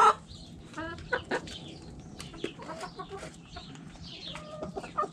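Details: Hens in a backyard coop cluck softly in short, scattered notes, with a few brief louder squawks at the start and end.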